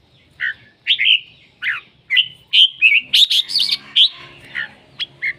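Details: Red-whiskered bulbul singing vigorously, a lively string of liquid whistled notes and rolling chirps that run almost without pause through the middle, then trail off into a few short separate notes.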